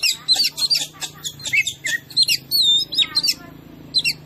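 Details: Energetic oriental magpie-robin song meant to provoke other birds: rapid run of chattering notes, then a clear sustained whistle and several twisting whistled phrases.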